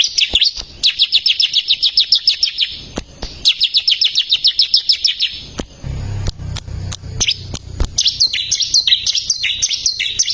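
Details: Bar-winged prinia in full song, recorded for tutoring caged songbirds: two long trills of rapid, evenly repeated high chips, then choppier high phrases. A low humming background starts midway, and sharp clicks punctuate the song.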